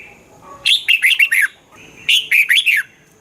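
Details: Song of the red-whiskered bulbul, Thailand, played to make caged birds excited: two rapid phrases of four or five clear, dipping whistled notes, a little over a second apart.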